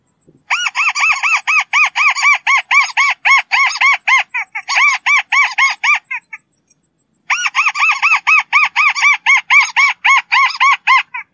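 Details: Fast, rhythmic chatter of a White-browed crake: long runs of evenly repeated harsh, arched notes, broken by a short silent pause before the series resumes.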